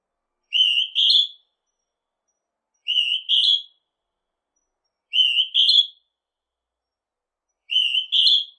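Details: Northern hawk-cuckoo (Hierococcyx hyperythrus), call.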